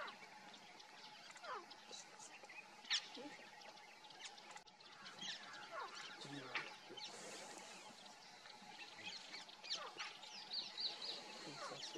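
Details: Grey francolin in dry grassland at Hinauta, Panna National Park, central India, giving soft, short covey contact clucks at an irregular pace, with a steady background drone and scattered chirps from other birds.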